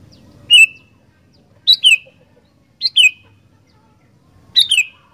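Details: Lively sooty-headed bulbul calling: a single downslurred note, then three paired chirps that rise and drop, repeated roughly once a second against a quiet background.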